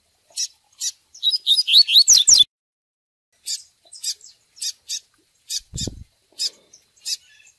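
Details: Fiery "tui tui" Double-collared seedeater used for training: a couple of chips, a fast tumbling phrase of whistled slurs, then a long series of spaced sharp chips, with one brief low thump.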